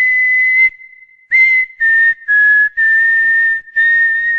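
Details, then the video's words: Cockatiel whistling the Corinthians team anthem: one long held clear whistle, a brief silence, then five short, evenly spaced whistled notes at nearly the same pitch, with a bright, flute-like tone. "ASSOBIO CALOPSITA - HINO DO CORINTHIANS"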